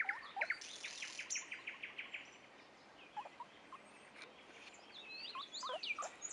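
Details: Common nightingales singing at Dubki: a rapid run of repeated notes opening the phrase, then varied whistles, upward slurs and chirps, with faint other birds behind.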